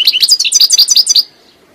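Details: Goldfinch phrase of quick, bright, high twittering notes, about a dozen tinkling downslurred elements in just over a second, ending in a short fading slur, then quiet.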